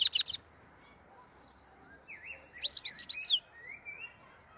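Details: Black-headed goldfinch, Andijan, Kuva and Fergana region, Uzbekistan. A brief harsh burst is followed by a pause with faint whistles, then a rapid jumbled twittering phrase and a soft rising whistle, over light background noise.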